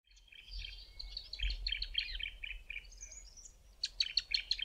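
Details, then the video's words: Pair of Bar-throated Apalises duetting, the male louder and lower in tone: quick runs of high chirpy notes, then a burst of sharp repeated notes near the end, over faint low rumble. "BAR-THROATED APALIS duet and ticking calls"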